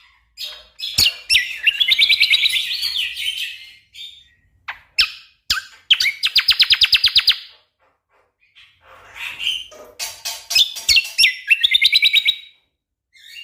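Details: Orange-spotted bulbul singing energetically in dense bursts, used as tutor song for competition songbirds: loud, high chattering phrases with fast buzzy trills and sharp repeated clicks, separated by brief silent pauses, no other sounds.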